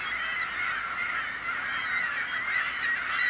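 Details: Seagulls noisily calling together to frighten off predators, human or bird; a thick wall of harsh cries rising and falling slightly in loudness throughout.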